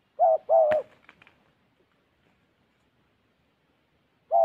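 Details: Spotted dove kept as a far-calling decoy for trapping in Gia Lai, Vietnam: a low two-part coo, a brief note then a longer one, overlapped by a sharp click, then quiet before another coo begins.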